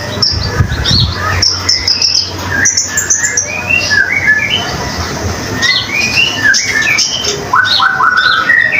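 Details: Common iora in active song, meant as a master for other songbirds: varied chattering phrases mixing high chips, mid-pitched slurred whistles and short rising notes, a loud rising whistle series near the end.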